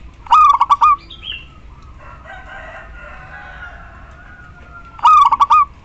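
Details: Local female zebra dove calling the male as a lure for silent males: a stuttering coo, a few seconds of soft mixed background chatter, then the same beaded coo again.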